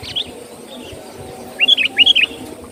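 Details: Lively sooty-headed bulbul song used to lure birds: after one faint early note, a short run of five or six bright, bubbly whistled notes with upward and downward slurs, low rumbling background.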